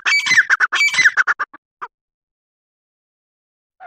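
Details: Grey francolin calling: a rapid burst of harsh, grating squawks that speed up and run together for about a second and a half, then trail off into a few isolated notes and silence.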